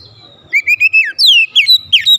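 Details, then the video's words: Short lure phrase of an Oriental magpie-robin, used to rouse other magpie-robins: a level whistle climbing slightly, then a loud descending sweep and quick twisting notes. "PANCINGAN KACER ANTI BISU mancing Kacer lain cepat emosi dan gacor"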